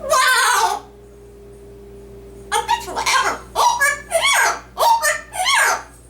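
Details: Pet yellow-naped amazon parrot, a male, mimicking human speech while reciting a Dr. Seuss book: one drawn-out word, about two seconds of silence, then a quick string of six choppy syllables with falling inflections.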